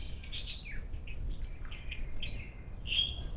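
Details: Wild monk parakeets at a bird feeder on the outskirts of Houston, Texas, on 3/10/2021 give rapid, harsh chattering squawks in quick bursts, ending in a louder screech, over a steady low rumble of wind or traffic.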